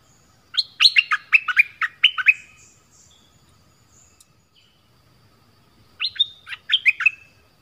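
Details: Orange-headed thrush song used to lure wild birds and train young birds: a run of bright, downward-slurred whistled notes, a few quiet seconds, then a shorter similar phrase.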